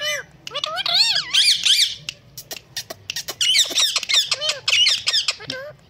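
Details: Indian green ringneck talking parrot kept as a pet, said to talk, meow and whistle; bursts of sharp, wavering, harmonic squawks and bent whistles come in quick uneven runs, roughly three a second, with brief gaps.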